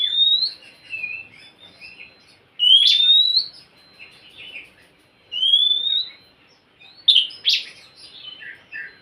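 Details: Whistled song of the Oriental magpie-robin, meant to prompt a silent caged bird into singing: rising pure whistles about every two and a half seconds mixed with short lower warbles and a burst of sharper, harsher notes near the end.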